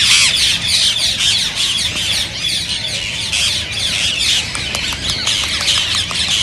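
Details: Green rose-ringed parakeets calling to encourage singing and mating in other parrots: many birds screeching and chattering at once, shrill, rapid and unbroken, with brief sharp notes standing out through the steady din.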